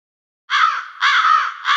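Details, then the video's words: A crow gives harsh, rasping caws about half a second long, one after another with almost no gap, after a brief silence; no other sounds. "SONIDO de CUERVOS"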